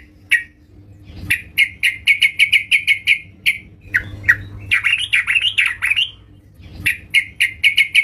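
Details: Yellow-vented bulbul singing busily at home: sharp, bright chip notes in quick runs, then a bubbly, warbled phrase of rising and falling notes, then more rapid chips; faint low hum underneath.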